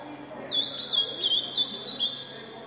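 An ultramarine grosbeak delivers a fast, high, continuous warble of slurred whistled notes lasting under two seconds, with faint background murmur.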